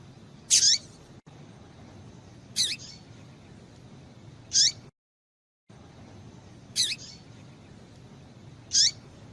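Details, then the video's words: A female Double-collared Seedeater gives short, thin, high notes that drop sharply in pitch, one about every two seconds, over faint background hiss, used to stimulate males to sing. "Piado de Fêmea de Coleiro Para Esquentar Macho"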